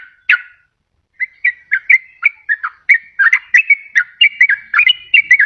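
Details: Yellow-vented bulbul, used as a lure and to spur lazy birds into song: one sharp note, then a lively run of quick bubbly whistled notes rising and falling.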